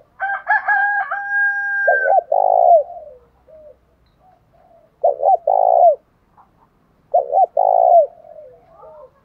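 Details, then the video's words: Lure calls of male and female spotted doves meant to provoke fighting; opening tonal notes, then three phrases of two short coos and a long pulsing coo, spaced around two and a half seconds apart. "chim cu gáy mồi giọng thổ đồng thúc đấu rút bổi nghe rất nhanh về"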